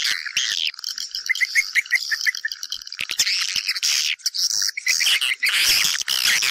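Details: Swiftlet sounds meant to attract swiftlets into a house, a crowded twittering chorus with a short run of quick, evenly spaced chirps early on, then denser buzzy chatter.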